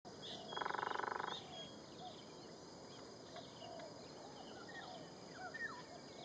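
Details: Sunda pygmy woodpecker, a common woodpecker in Singapore, giving one rapid, buzzy rattling trill lasting under a second, over a steady high insect drone and faint chirps from other birds.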